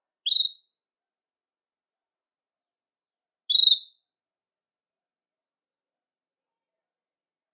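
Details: Belgian canary singing to stimulate males and bring females into breeding condition; short, bright whistled chirps with a quick sweep and overtones, one about every three seconds, separated by silence, with a third chirp starting at the end.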